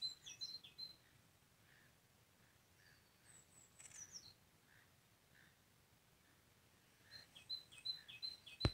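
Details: Whimbrel (Numenius phaeopus) at Jönsbolssjön, Almunge, Sweden, May 2020: short, high whistled notes, a few at the start and a quick run of about five at the end, with faint softer notes and light background noise.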